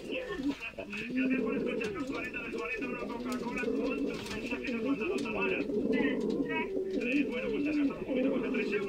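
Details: Deep looping coos from male Canary pouter pigeons in breeding condition, several birds overlapping in steady low rolling phrases, with higher chirping from other birds throughout.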